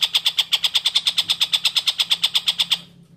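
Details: Long-tailed shrike in lively song on a clear tutor recording for magpie-robins: one even burst of about twenty harsh, buzzy notes in under three seconds, ending abruptly into quiet.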